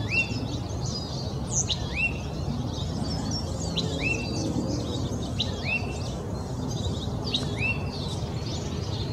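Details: Oak titmouse in Old Torrance, Los Angeles County, California, January 21, 2020: repeated short rising whistled notes about once a second, with other high chirps from several birds and a steady low background rumble.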